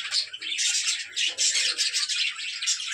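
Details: A room of about 15 to 20 female budgerigars on a farm, giving constant high-pitched chirping and warbling from many birds, with faint low sounds in the background.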